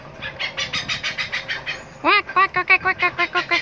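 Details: A hornbill near Pasir Gudang gives a fast run of dry, rasping pulses, then loud nasal honking notes repeated about five times a second, each with a hooked, falling tone.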